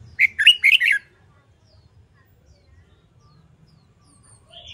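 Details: Caged red-whiskered bulbul being trained to sing competitively, opening with a loud quick phrase of four rich, looping whistled notes, followed by near silence and a faint note at the end.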